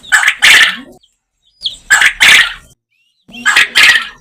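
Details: Farm quail recorded naturally, repeating a harsh, rasping two-part call about every one and a half seconds, with a softer note leading into each loud, grating pulse pair.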